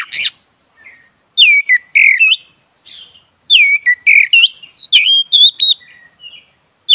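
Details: Singing Oriental magpie-robin, black-breasted type, used as a lure to get a listless bird singing. Loud looping whistles arrive in quick clusters of several notes, with brief quiet gaps between the bursts.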